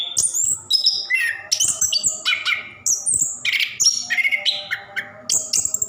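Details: Captive Orange-headed thrush delivering a rolling 'ngerol' song used to stimulate other caged birds; short piercing high whistles and buzzy trills in quick succession, some notes sliding down, with slight background hum.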